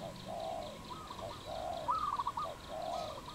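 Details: Wild dove in Cambodia, 22 April 2020: low hollow coos in drawn-out phrases, interleaved with a higher, quick stuttering whistled series from another bird; faint background chirping.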